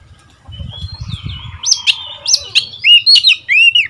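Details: Caged Oriental magpie-robin decoy, a seven-month-old young male after his first moult, sings back at wild birds: varied whistled phrases with rising and falling slurs and sharp upswept notes, low rumbling thumps in the first half.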